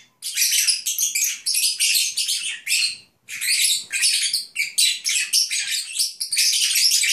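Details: Lovebirds (Agapornis) chattering while dozing, a dense, high, scratchy stream of squeaks and twitters with a brief pause near the middle.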